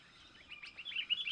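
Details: Sooty-headed bulbul, a talented young bird, used as a lure for wild bulbuls: a quickening run of bubbly chirps rising in pitch and loudness over about a second, with a faint steady whine behind.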